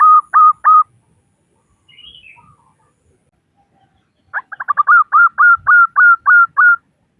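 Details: Local zebra dove female calling males: three short cooing notes, a pause, then a rapid stuttering run of notes that slows into evenly spaced, slightly drooping coos about every quarter second.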